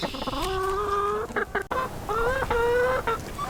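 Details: Backyard hens kept shut in their coop on a rainy day give drawn-out, nasal, complaining calls, each held for about a second and repeated, broken by short clucks.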